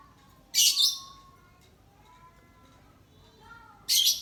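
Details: Lovebird kept for song, set out in the sun on a gloomy day, from a recording focused on the long ngekek trill style: two short, dense, harsh high chattering bursts about three seconds apart, with faint tonal whistles and quiet background between.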